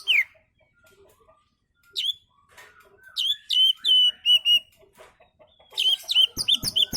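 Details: Oriental magpie-robin singing relaxedly as a lure for other birds: isolated sharp downslurred notes with pauses, then a flowing series of clear whistles, ending in a rapid run of bright repeated chips.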